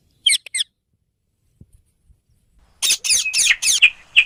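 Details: Green ringneck parrots, rose-ringed parakeets, giving shrill, harsh screeches: a short burst of three, a silence, then a rapid chattering run of piercing squawks.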